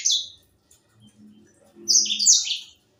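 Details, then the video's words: Young white-rumped seedeater, an African seed-eating songbird, singing eagerly: a brief high twitter opens, then after a pause a fast run of sharp, sliding chirps and trills, with a faint low hum behind. "Burung sanger muda gacor"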